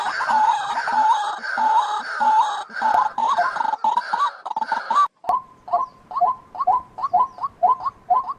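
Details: White-breasted waterhen calling: a loud run of harsh, croaking notes near one pitch, then a sharper, faster series of short clipped notes repeated about twice per second.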